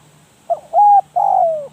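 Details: Spotted dove used as a decoy gives one close phrase: a short soft note, a level sustained coo and a longer coo that gradually falls, over a faint low hum.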